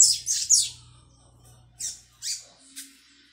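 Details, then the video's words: A young double-collared seedeater learning its 'tui tui' song, 22 May 2022, practises scratchy, high, buzzy bursts, about five uneven notes in three seconds, over a faint low hum. "Coleiro Pardinho - Aprendendo Canto Tui Tui"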